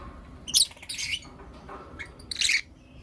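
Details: Morning calls from Blue Opaline and Lutino Opaline lovebirds: three harsh, grating squawk bursts spaced about a second apart, with faint low room noise between them.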